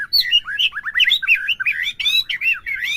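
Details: White-rumped shama song played to provoke a captive bird into singing, heard in the morning or midday: a fast, varied run of whistled and chattering notes, rising and falling slurs packed closely together without pause.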